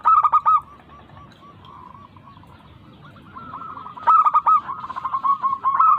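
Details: Local zebra dove, played as a lure to stir lazy doves into singing: loud bursts of quick cooing notes at the start and end, a fainter stretch of softer rolling coos in between, and low background rumble throughout.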